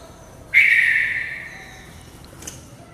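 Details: A Red-vented Bulbul that has flown inside a house gives one harsh, slightly buzzy mid-pitched note lasting about a second and fading away, against quiet indoor background.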